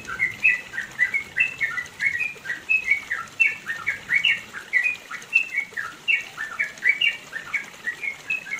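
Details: Yellow-vented bulbul long 'ropel panjang' song recorded in the mountains of East Java, used for training other birds: continuous bubbly chain of short liquid notes, rising and falling, delivered several per second with faint background hiss.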